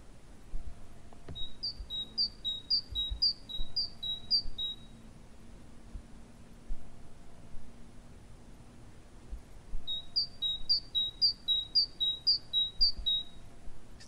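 Great Tit song: two bouts of six quick, high two-note phrases, 'teacher-teacher', ringing and siren-like, with faint low background hum.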